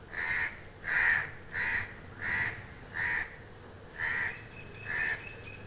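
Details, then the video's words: Crows calling toward a person: seven loud, harsh caws in a steady series about every three-quarters of a second, each a hoarse, ragged burst, with a short gap before the last two and a faint low hum underneath. "crows calling me"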